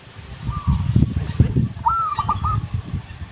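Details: Zebra dove song for luring: a faint short whistled note, then a quick rolling series of staccato coos, over steady low rumbling background noise.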